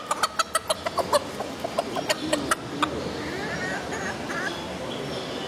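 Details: Small chickens with feathered feet in the Biosphere in Potsdam, giving a rapid run of short, sharp clucks, about a dozen in under three seconds, followed by a soft indoor murmur.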